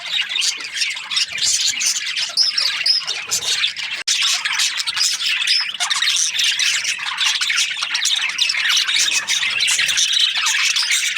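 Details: Unbroken chirping of Australian budgies, scratchy high squawks and warbled twitters from many birds, with one sharp instant break partway through.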